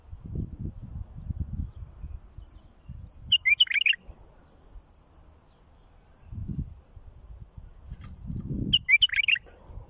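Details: Bulbul singing as a tutor for young birds: two brief bursts of fast warbled notes about five seconds apart, set against intermittent low-pitched rumble and handling noise.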